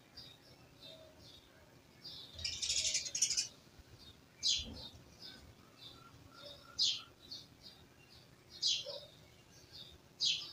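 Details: Birds chirping around a village: a burst of dense, rustling high chatter early on, then sharp single chirps repeating roughly every two seconds, with faint softer notes between them.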